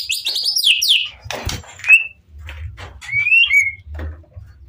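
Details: White-rumped shama singing to lure other shamas to reply: high descending buzzy notes at the start, then brief clear whistles and a rising slurred phrase, faint low hum throughout.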